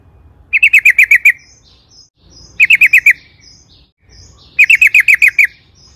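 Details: Sooty-headed bulbul used as a provoking lure: three short bursts of about seven rapid, identical bright chirps each, spaced roughly two seconds apart, with faint thin high notes between and a soft low rumble.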